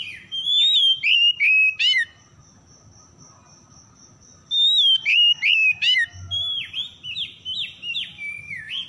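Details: Oriental magpie-robin (kacer) lure recording to prompt stressed birds into singing: energetic bursts of warbling whistles and sharp chirps, a quiet spell, then a long run of repeated, dipping whistled notes, with a faint high steady tone.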